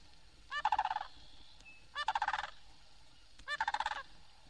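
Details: Florida sandhill crane (Antigone canadensis pratensis) in Florida (1969 record) giving its loud rolling call: three rattling bugle bursts about every 1.5 seconds, each a fast series of harsh notes, with faint hiss.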